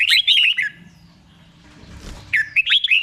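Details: Red-whiskered bulbul song from Thailand, used to teach caged bulbuls: a quick warbled phrase of bubbling notes, a long quiet stretch with faint rustling, then another short phrase.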